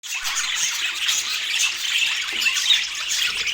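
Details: Several budgerigars chirping while eating, a dense continuous wash of high, scratchy chatter with overlapping squeaks and warbles and no distinct single voice.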